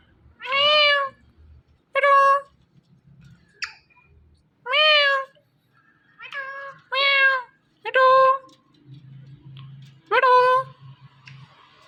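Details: A male and female Indian ringneck parrot pair calling in the morning: a series of about seven loud, nasal, meow-like harmonic calls, each under a second, given at irregular intervals of one to two seconds.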